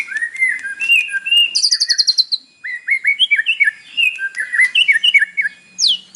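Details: White-rumped shama singing in the morning, a captive bird's song used to provoke another to sing: rich run of whistled and buzzy phrases, rapid repeated notes and high trills, varied and continuous over six seconds.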